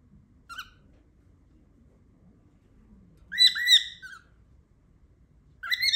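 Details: Pet cockatiel making loud noises indoors: a brief call, then a harsh rasping squawk with falling slurs lasting under a second, and another squawk starting at the end amid quiet room sound.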